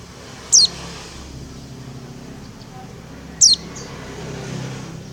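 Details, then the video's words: Female Oriental white-eye calling to the male: two thin, high, sharply descending tsee notes about three seconds apart over a low steady background hum. "Suara Burung pleci betina memanggil jantan"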